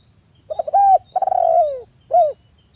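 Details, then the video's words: Male spotted dove in full 'kuk 1' song to challenge a rival as local males reply: two soft clicks, a rounded coo, a long stuttering coo sliding downward, then a short closing coo, with a faint high hum behind. "Suara Tekukur kuk 1 manggung gacor manggil lawan, TEKUKUR LOKAL Jantan pada nyaut"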